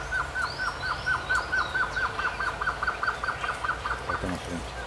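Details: A male Blue-crowned Trogon sings a fast, even series of about twenty short hooting notes, steady in pitch, over a low hum; other birds whistle faintly.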